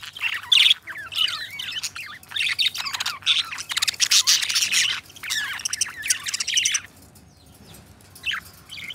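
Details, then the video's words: Pet budgerigars, two companion birds kept together, warbling in a long chattering stream of rapid squeaks, clicks and trills with short whistled notes, broken by brief pauses, then fading to quiet near the end. "Budgie Sounds: Birds Singing You to Sleep"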